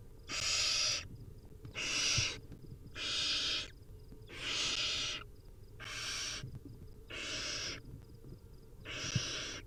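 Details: Wild barn owl nestlings begging for food at feeding time, giving steady, harsh hissing snores, each about half a second long and repeated every one to one and a half seconds, with faint thumps beneath.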